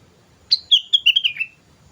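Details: Sooty-headed bulbul singing lively lure song: a single rapid phrase of clear, bubbly whistled notes tumbling gradually lower in pitch, lasting about one second in a quiet setting.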